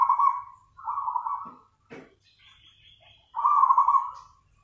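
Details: Zebra dove (perkutut) singing actively in the nganyer style: low, purring trilled coos around a steady pitch in three main bursts, with a brief higher buzzy note and short clicks between them.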